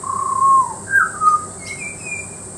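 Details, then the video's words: Butcherbird song from Peachester, Queensland: a long, loud, pure whistle that sags slightly in pitch, then two shorter rich notes and a higher, thinner phrase fading out, with a constant background hiss. "Butcherbird singing, Peachester, Queensland"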